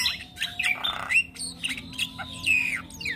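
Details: Young Asian pied starling in song, mixing scratchy squawks with short whistled slurs and a rough buzzy burst, delivered rapidly without a break.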